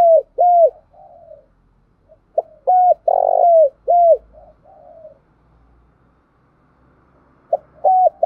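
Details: Spotted dove (cu gáy) giving a thúc gù cooing: a short note, then hooked coos around a buzzy, rolling middle note with a falling tail. One phrase runs near the start, another mid-clip, and a third begins at the end. No other sounds.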